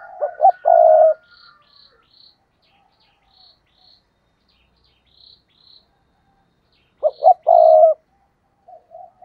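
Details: Spotted dove kept as a decoy on a tree, cooing to attract wild doves: a phrase of short hoots ending in a long low coo, repeated after about six seconds, with faint high chirps of another bird between.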